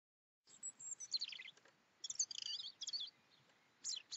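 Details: Two European robins in the morning; high, thin warbling phrases of quick twittering notes come in three bursts separated by short pauses, with a quiet background.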